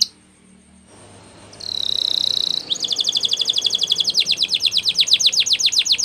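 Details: Canary training song over background hiss: a sustained buzzy tone, then a long fast trill of repeated strokes rising in loudness.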